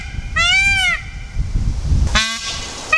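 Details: Indian peafowl from a wild group in Tasmania, where the birds are not native: one loud, arched, harmonic wail, then after a pause a harsher, broader call, with a third call beginning at the very end.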